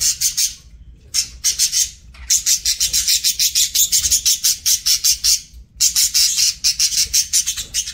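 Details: Budgie at mealtime making long runs of rapid, rasping pulsed chatter broken by two short pauses, loud and bright throughout.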